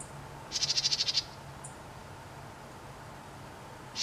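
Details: A house wren calling from a fence post gives a quick, harsh chatter of about nine rapid, buzzy notes in under a second, then a few thin high ticks over a faint steady hum.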